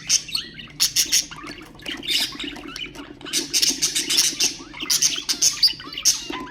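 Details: Caged budgerigars singing to stimulate other birds, loud rapid bursts of harsh squawks and sharp chirps in quick clusters, separated by brief softer warbles over a faint low hum.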